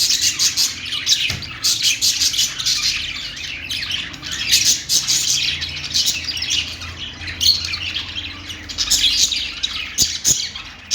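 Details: Chattering budgerigars, the Australian parakeet, keep up a busy stream of high, raspy chirps and squawky warbles, bursts swelling and fading every second or so, with a faint low hum underneath.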